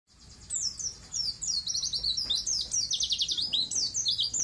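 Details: White-eye (pleci) singing energetically, used as a tutor recording to train untrained birds to start singing and sing long phrases: fast, high, thin twittering of rapid down-slurred notes, building after a quiet half-second start and running continuously.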